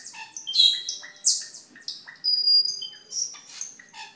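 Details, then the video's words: Cucak keling song for training caged birds and luring. It is a varied mix of squawky bursts, buzzy notes and thin high whistles, delivered in irregular short phrases. "Suara Burung Cucak Keling Gacor untuk Masteran dan Pikatan"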